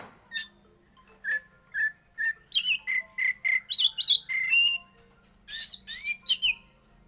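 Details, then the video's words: Black magpie-robin, a caged competition bird, singing in the 'batuk' style: short repeated whistled notes give way to a fast run of rough, buzzy bursts and rising whistles, with a steady low hum underneath. "kacer hitam BATUK biasa juara di gantangan"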